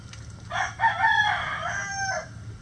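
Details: Rooster crows loudly: a brief clipped start, then a long, raspy, slightly wavering cry of about one and a half seconds that drops at the end, in an otherwise quiet setting.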